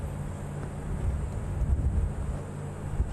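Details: Only a low, steady engine rumble from a vehicle is heard, with no animal calls.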